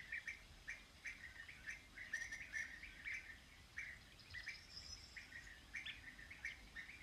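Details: European bee-eater giving short, burry, rolling notes in uneven bursts, repeated roughly every half second, with faint higher chirps in the background.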